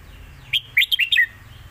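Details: Competition Red-whiskered bulbul in a cage sings a master-song phrase used as a model for young birds: five or six quick, sweet whistled notes ending in a lower slurred note.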